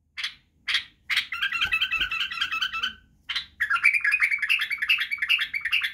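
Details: White-eared bulbul singing as a model for young bulbuls: three short separate notes, then a fast chattering warble, a brief pause, another note and a second long rattling, warbled run.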